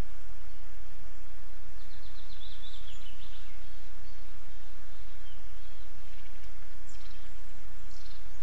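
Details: Osprey at a nest in Estonia on 11 July 2022, with a strange female and a male present. Short high chirps fall in pitch in a quick series, with a later burst near the end, over steady low wind noise.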